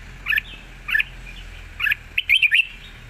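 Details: A Red-whiskered bulbul, an easy singer, gives three separate short warbled notes, then a quicker cluster of three bouncy whistles, over a steady low background hum.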